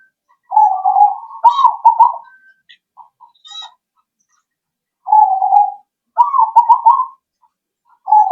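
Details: Lure recording of a zebra dove to make birds respond: mellow, vibrating coo phrases of quick clipped notes, each bout lasting a second or two, recurring after short silences, with scattered faint chirps.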